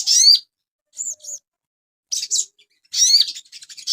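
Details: Asian pied starling song used as a master recording for cage birds, with loud bursts of harsh, buzzy phrases and upward-sliding whistles, paired short chirps between them, and brief silent gaps.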